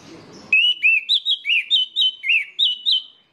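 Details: Orange-headed thrush song used as a lure to get other orange-headed thrushes singing: a loud run of about ten clear whistled notes, each a short rising-and-falling slur, delivered rapidly with brief gaps, after a moment of low background hum.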